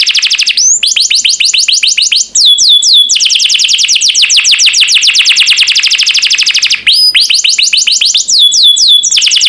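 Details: Canary master song meant to make listening birds answer and sing: dense rapid trills of falling high sweeps, broken by brief quick whistled flourishes near the start, the middle and the end.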